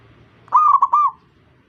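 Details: Zebra dove singing while it draws other zebra doves into calling: a single phrase of three rapid, rolling coos, each soft and mellow, run together with brief breaks, then silence.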